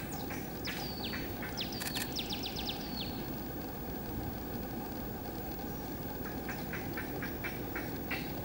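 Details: Mangrove rail (Rallus longirostris) call in Tumbes, Peru, mangroves: a quick run of sharp, dry notes dropping in pitch, about five a second, then fainter repeats, over steady rushing background noise.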